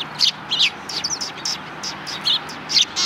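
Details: Several sparrows on a road in front of a Tenmangu shrine, 13 December 2019, giving bright, short chirps in quick, uneven bursts, some doubled, about nine within three seconds.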